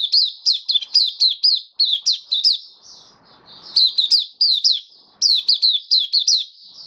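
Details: Kept white-eye singing its 'buka sing' opening song on 18 May 2022 after regular deworming and supplements: strings of bright, high, falling chirps in rapid groups, a brief quieter pause, then renewed chirp runs.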